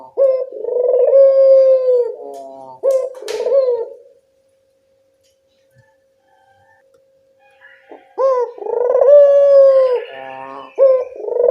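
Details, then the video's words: Collared dove lure cooing: two deep coo phrases, then a silent gap with a faint hum of about four seconds, then the throaty rolling coo resumes, meant to prompt other doves to reply. "Suara pancingan burung puter lokal sangat mudah nyaut"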